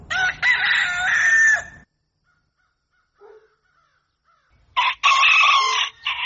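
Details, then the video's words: Rooster at dawn giving a loud, harsh, strained crow, with silence and a brief faint note in the middle, then a second raspy crow starting near the end. "Canto Do Galo | Galo Cantando Ao Amanhecer | Som Do Galo | Galo Cantando Para Acordar"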